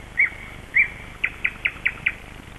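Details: Birdsong at Kasmu in early dawn at sunrise on 21 May 2012: two drawn-out whistled notes, then five short clear whistles in quick, even succession over a steady background hiss.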